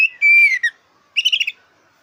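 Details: Oriental magpie-robin of the black-breasted form, a lively singer used to spur competition birds: one long, pure, level whistle that slides downward, a pause, then a quick burst of twittering notes.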